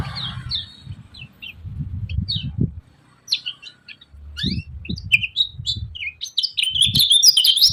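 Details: Yellow-vented bulbul in a cage calls with scattered sharp, high chips that build into a fast, dense chattering run, mixed with low thuds and knocking sounds.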